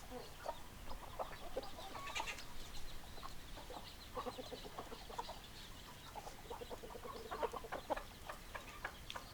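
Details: Hens clucking: many short, soft clucks scattered irregularly through a steady hiss of background noise, fairly faint and overlapping, with no clear crow.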